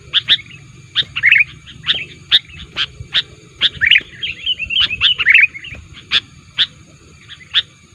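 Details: Lure recording of a sooty-headed bulbul in full voice, aimed at rival bulbuls: separate sharp chip notes spaced about half a second apart, with a busy twittering passage in the middle, faint hum underneath.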